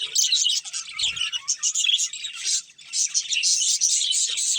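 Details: Budgerigar breeding pair chirping in bursts of high, scratchy twitters, with a short dip into quiet midway before the rapid chatter resumes.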